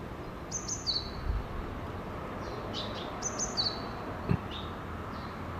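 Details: Japanese tit calling energetically near a nest box early in the morning: two high, thin phrases about three seconds apart, each a sharp high note sliding into a lower whistled note, with fainter echoing notes and steady low background rumble.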